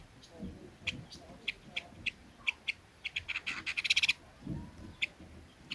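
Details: Leiothrix fighting-style lure call: evenly spaced sharp notes speeding up into a dense rapid burst of chips, then a pause and a final lone note, with low background murmur.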